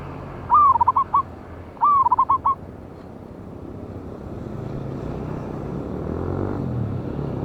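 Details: Loud-voiced wild local zebra dove (perkutut), lure recording dated 11/8/24, gives two cooing phrases in quick succession, each a long sliding note and then a run of short bubbling coos, followed by low rumbling noise.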